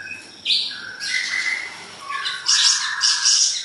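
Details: Siri-siri besar, a tutor recording for training songbirds: lively song of clear whistled notes that step between pitches, broken by buzzy, high, chattering bursts, with no other clear sounds.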